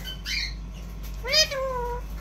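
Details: A talking Alexandrine parakeet gives two voice-like utterances indoors: a short nasal word, then a longer drawn-out phrase that rises and slowly falls, over a faint hum.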